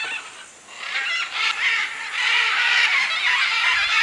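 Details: A dense chorus of many macaws at a clay lick in the jungle of the Manu area, Peru, in 2008, with other birds present: harsh, grating squawks overlapping almost without pause, rising in intensity.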